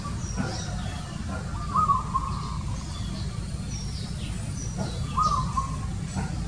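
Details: {'caption': 'Two short bursts of rapid, bubbling cooing notes from a zebra dove, separated by a pause of about three seconds, over a steady low rumble with faint distant chirps from other birds.'}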